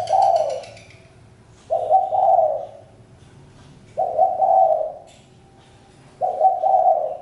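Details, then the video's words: Spotted dove cooing repeatedly, a mellow two-part hoot phrase returning about every two seconds, four phrases in all, against a low background hum. "Chim cu gáy-Đam mê tiếng chim cu"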